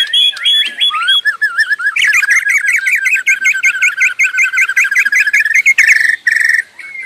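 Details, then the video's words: White-rumped shama singing non-stop in full 'gacor' song, offered as master song for bird keepers: varied whistled phrases, then a long fast series of repeated downward-slurred notes, ending with clear whistles. "Suara Burung Murai tiada henti"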